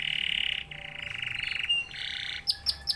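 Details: F1YS canary singing steadily: a dense, buzzy rolling trill held for over a second, a second rattling trill, a brief pure whistle, then three sharp upward-flicked notes near the end.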